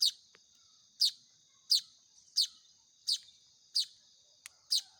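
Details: Baya weaver chicks begging during hand-feeding: repeated piercing, downward-sliding chirps roughly every 0.7 seconds, with a brief tick and a continuous high hum behind.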